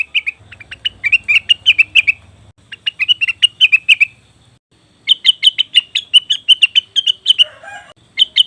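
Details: Lure recording of a leafbird, cucak wilis or rengganis, to make wild birds respond: two fast strings of clipped, high chirps with a brief pause between, and a faint low hum beneath the first.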